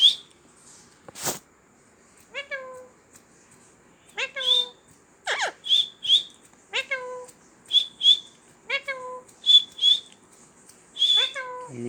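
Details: Series of rapid piercing whistles and rising, whiny, harmonic calls repeated in close succession, from a talking parrot, with one sharp click near the start in a quiet room.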